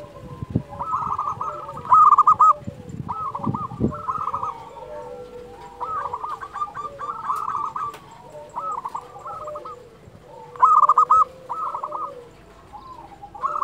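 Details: Persistent local zebra dove song from Indonesia, meant to stir and teach slow-singing doves: a long run of repeated staccato coo phrases, several sharper bursts standing out, with softer overlapping cooing throughout.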